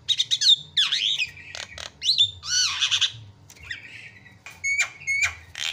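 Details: Javan myna delivering a loud song of harsh squawks, swooping slurred whistles and raspy notes, ending with sharp paired clicks.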